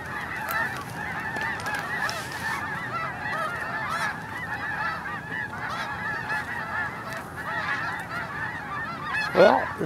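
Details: A huge flock of Snow Geese in an early blast-off at Hagerman NWR: continuous barking honks in dense layers, with one louder close call near the end.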